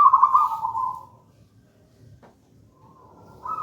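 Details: Local wild-type zebra dove of the gedang rojo style, kept as a lure and master song for trapping, gives a rolling trilled coo that fades, then a short fragment resumes at the end.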